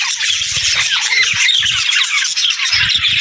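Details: Budgies singing in a lively, scratchy chatter of chirps and rising squeaks, over repeated low rumbling thumps through the first half and again near the end.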